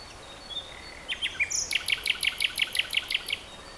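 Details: Common nightingale singing: a few scattered high chips, then a fast, regular series of sharp, repeated high notes, about a dozen in under two seconds, with faint background noise.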